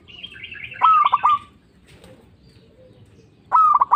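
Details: Local zebra dove used as bait to draw and provoke other doves: a rapid pulsed cooing phrase, a second phrase starting near the end, and brief higher twittering from another bird at the start.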